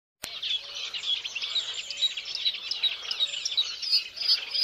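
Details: Violet-backed starling (Cinnyricinclus leucogaster): dense, high chattering with thin whistled notes repeated roughly every half second, over a busy bed of other chirps.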